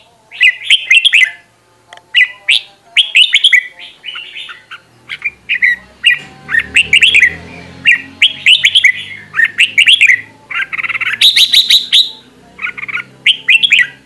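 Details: Red-whiskered bulbul decoy birds in full group song for voice training; a steady stream of sharp, clear whistled phrases, each a cluster of quick notes. A soft low rumble sits underneath midway through.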